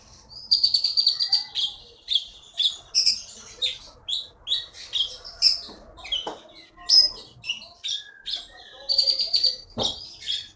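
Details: Songbird taken from the forest of Bangka, Indonesia, and now a caged champion at Bangka Belitung events, delivering a steady stream of high, rapid chirps and trills in close bursts.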